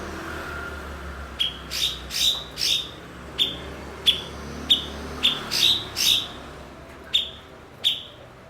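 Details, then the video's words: Cucak cungkok (blue-winged leafbird), prized by songbird enthusiasts as a master for its skill at copying other birds: rhythmic bright chips mixed with rasping broadband bursts, about a dozen notes in quick succession over soft background noise. "MASTERAN BURUNG BERKICAU "CUKOK""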